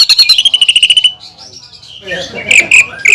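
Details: Greater green leafbird singing to provoke other leafbirds: a rapid run of high, evenly repeated whistled notes, a soft gap, then loud scratchy bursts and whistles.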